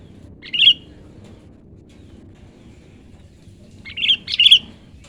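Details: Young wild-caught sooty-headed bulbul, a decoy bird in training that has begun singing freely: a short bubbly phrase, a pause of several seconds, then a longer burst of quick liquid notes, over faint low background noise.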